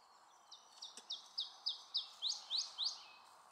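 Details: Iberian chiffchaff at Bergelen, Gullegem, 12 April 2012, sings a quick run of about nine high, thin notes that speed up and grow louder, ending in sharper upslurred notes, over a soft background hiss.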